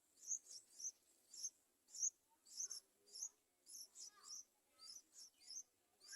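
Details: Yellow-vented bulbul babies begging as parents attempt feeding: rapid series of sharp, very high chirps, roughly two per second, some paired, with occasional softer lower notes underneath.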